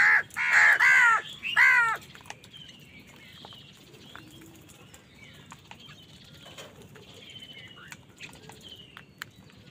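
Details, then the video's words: Angry crow fighting other birds for food utters three loud, hoarse caws in the opening two seconds, followed by a long quiet stretch of faint distant chirps and background noise. "Wild birds fight with crows for food | Crow bird unity anger and sund | Angry kawa ki awaaz"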